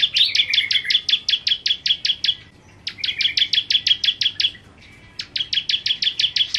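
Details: Bar-winged prinia of the type called 'kristal', singing vigorously in the 'nembak' style: long volleys of fast, sharp, identical ticking notes, about five per second, given in three runs separated by brief pauses, in a quiet setting.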